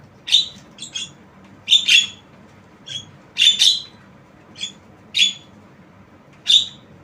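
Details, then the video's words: Tame Javan myna repeating about nine rasping, buzzy notes at uneven intervals, some doubled into quick pairs, in an otherwise quiet room. "Jalak kebo Suara Unik"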